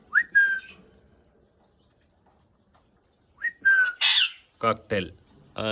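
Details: Talking Indian ringneck parakeet. A rising whistle opens, then a pause, then another upslurred whistle with a level tail. A loud harsh hiss and several short, nasal, strongly voiced syllables close the clip.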